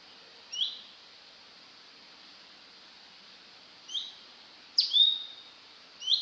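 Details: Male orange-bellied leafbird in Hong Kong giving brief, high chipping calls a few seconds apart, including a sharper, downslurred note, over a steady high hiss.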